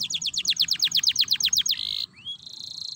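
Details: Canary 'gacor ngerek' lure song used to prompt other canaries to sing: fast rolling trill of sharp descending notes, about eight a second, ending in a steady high buzz and a short rising whistle.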